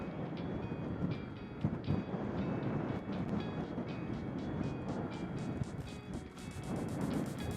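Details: Low rumbling background broken by a run of sharp, crunchy clicks and knocks, mechanical rather than animal, with no calls present.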